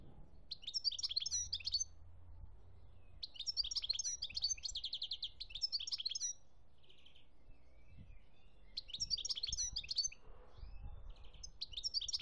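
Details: European goldfinch from Algeria, 2017, delivering bursts of rapid, jangling twittered song separated by pauses, about four phrases, with a few soft chirps between them and quiet low background noise.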